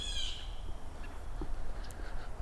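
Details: A Blue Jay during autumn migration at a nature reserve near Red Bay, Ontario gives one harsh, nasal jeer that slurs slightly downward, followed by a few faint chips over low wind rumble.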